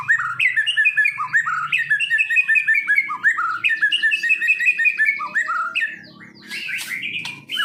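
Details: White-rumped shama, a kept Medan-type songbird trained for contests, sings a fast varied run of whistled and chattering notes that rise and fall, with softer scratchy phrases at the end.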